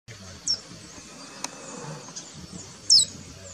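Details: A golden-chevroned tanager (Thraupis ornata) at Itororo gives two thin, very high, downslurred call notes about two and a half seconds apart over a soft background hiss.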